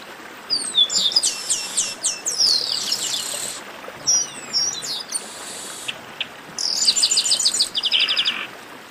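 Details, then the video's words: Chestnut-capped blackbirds in a noisy baderna chorus, giving overlapping high whistles and buzzy trilled phrases, with short silences between the bursts. "Baderna de Garibaldi"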